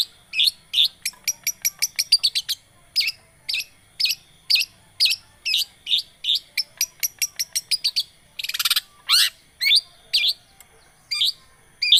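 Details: Long-tailed shrike song used as a lure to start a silent bird singing: a long, fast, steady stream of sharp high ticks and chirps, broken by one rasping, noisy burst partway through.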